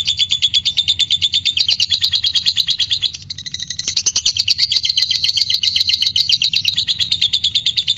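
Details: Lovebird in ngekek song, meant to lure others into singing: a sustained, rapid, rattling high trill, shifting slightly in pitch, with a brief break near three seconds before resuming.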